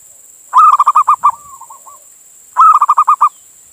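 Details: Male zebra dove from Indonesia calling a female: a quick rolling series of cooing notes ending in a softer drawn-out coo, then a second burst of about seven rapid coos two seconds later; steady background hiss.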